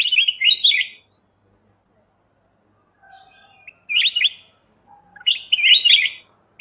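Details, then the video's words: Bulbul (kutilang emas mata putih) on a songbird-training master recording. It gives three rich, fluty phrases of rapid up-and-down notes about two seconds apart, with faint lower notes in between and quiet background. "suara masteran Kutilang emas mata putih"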